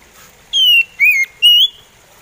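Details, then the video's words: Oriental magpie robin, called kacer, singing a slow song: three clean, high whistled notes, the first falling, the second rising then dipping, the third rising, about half a second apart. "SUARA SLOW ORIENTAL MAGPIE ROBIN BIKIN POCI KACER ON"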